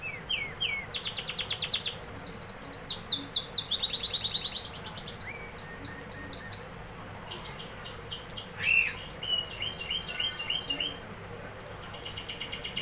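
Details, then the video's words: Canary song made of rapid chattering trills and quick sweeping notes, changing pattern every few seconds, with a brief louder rising whistle partway through. "canary singing"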